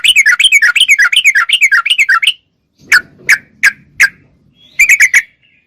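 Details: Sooty-headed bulbul singing actively, a clean lure recording for young and group-kept birds: a long, bubbly cascade of rolling whistled notes, then four widely spaced loud chirps and a final short cluster, with faint low background noise.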